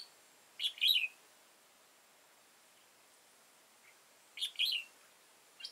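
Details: Old wild red-whiskered bulbul with a tall crest and dark bib, recorded while being trapped with a decoy on 15 October 2018; two short bright warbled phrases about four seconds apart, each of quick rising and falling notes, otherwise quiet.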